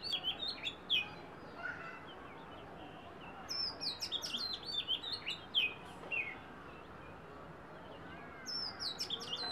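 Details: Song of an Oriental magpie-robin in three bursts of quick, sweet whistles and chirps, each a mix of down-slurred and up-flicked notes, separated by quiet gaps of about two seconds, with faint background hiss throughout.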